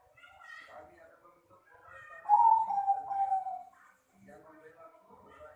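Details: Zebra dove of Bangkok stock giving a bright, loud cooing phrase with a fluttering, slightly falling roll in the middle of the recording, framed by softer mixed chatter and murmuring sounds before and after.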